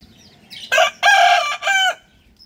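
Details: Rooster crowing in the morning on a farm: a loud harmonic crow in three parts, a short opening note, a long sustained middle and a falling final note, over quiet background.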